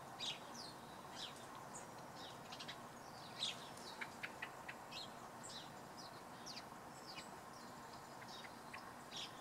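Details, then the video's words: Several house sparrows chirp on a grey, misty morning on a local green: short bright cheeps and chips, scattered and overlapping, at an uneven pace, over steady background hiss. "House Sparrows"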